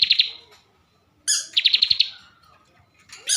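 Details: Bar-winged prinia, a caged bird from Central Java, gives short fast trills introduced by a high sharp note, with a thin descending whistle between bursts.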